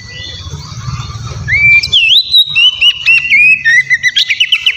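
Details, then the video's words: Oriental magpie-robin song used as a lure for rivals: after a low murmuring background, a long rising whistle opens a fast series of repeated, clipped whistled notes, roughly four a second. "Terapi suara KACER GACOR Ribut buat PANCINGAN KACER Lawan Langsung NYAUT"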